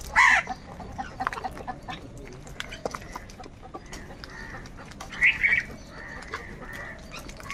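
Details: Crows fighting for food: two short, harsh, nasal caws, one at the start and another about five seconds later, with faint clattering and scattered clicks in between.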